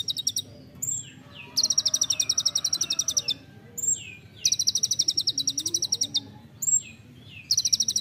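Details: Olive-backed sunbird, locally kolibri ninja, singing nembak rapat for songbird training: repeated bursts of a fast, high, buzzy trill, each about a second long, separated by short sharp downslurred notes.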